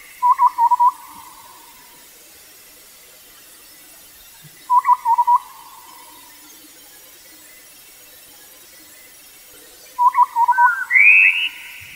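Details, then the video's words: A Taiwan scimitar-babbler (Pomatorhinus musicus) gives three quick bursts of hollow, fluty hoots about five seconds apart, the last answered by a higher, rising whistled phrase. "Taiwan Scimitar-Babbler"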